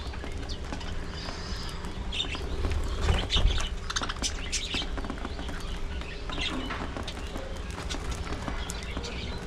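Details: Budgerigars in a breeding colony kept in an aviary, a flock chattering together: many short, high chirps and warbles overlap irregularly throughout, with a loud burst of chirping near the middle, over a steady low hum and occasional rustling.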